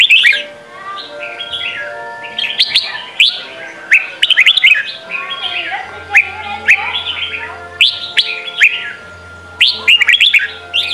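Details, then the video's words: Red-whiskered bulbul performing Sông Kôn training song for young birds: chattering sequence of bright, swooping whistled notes, phrases following one another steadily, with a soft low drone underneath. "Chào mào hót: 35 phút Luyện giọng Sông kon mỗi ngày! เสียงฝึกลูกนก | นกปรอดหัวโขน"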